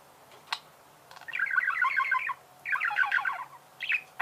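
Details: Budgerigar warble: after a single sharp click, two dense bursts of rapid buzzy chattering, each about a second long, are separated by a short pause, followed by a brief squeaky call.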